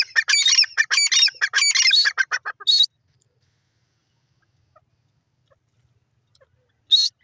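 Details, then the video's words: A francolin (teetar) calls in a fast, dense run of chattering notes for nearly three seconds, ending in one longer harsh note, then silence until a single rasping call near the end. "teetar ki beautiful awaaz"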